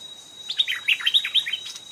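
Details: Stripe-throated bulbul singing during decoy trapping, where a fierce old wild bird came up to the trap twice. After a quiet start, a lively burst of about seven sharp, liquid warbled notes tumbling downward, above a thin steady whine.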